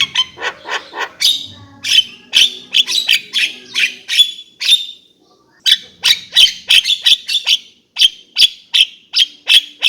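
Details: Javan myna repeating short, harsh, clipped squawking notes at a quick, uneven pace of nearly three per second, with one brief silent pause midway, then resuming the same rasping series.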